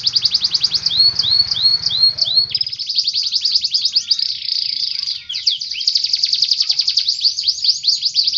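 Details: Canary singing continuously in captivity, high rapid trills and repeated chirping phrases running into long rolling tours, with low background noise at first that then fades out.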